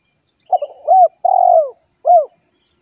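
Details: Ranting spotted dove calling its companions, used for luring: a hesitant broken start followed by three rounded coos, the middle one long and sliding downward, with near silence around.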